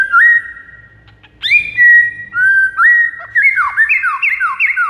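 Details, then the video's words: Song of a white-rumped shama, played to lure rivals: sustained whistles with upward slurs build into a rapid series of bouncing, down-slurred notes toward the end. "MASTERAN 99% EFEKTIF PIKAT MURAI BATU LAWAN"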